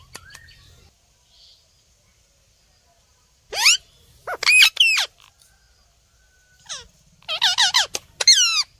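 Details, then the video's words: Green ringneck parrot, a hand-tame pet, talking: after near silence, loud bursts of rapid chattering syllables with sweeping harmonic pitch, then a sharp falling note and another fast burst. "Green Ringneck Parrot Talking Video"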